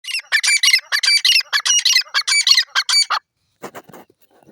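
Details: Grey francolin (desi teetar) giving a rapid, harsh chattering run of squawky, high notes packed closely for about three seconds, then a few fainter scratchy notes before falling quiet.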